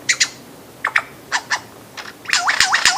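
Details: Lyrebird song with paired sharp chirps repeated several times, then a rapid run of looping whistled notes with a few loud clicks, all fairly high pitched over a quiet background.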